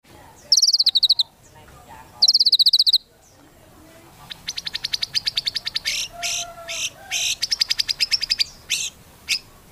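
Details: Caged white-rumped shama song played to provoke other shamas into singing: two bursts of fast high buzzy trills, then a long series of rapid repeated chattering notes with some lower whistles beneath.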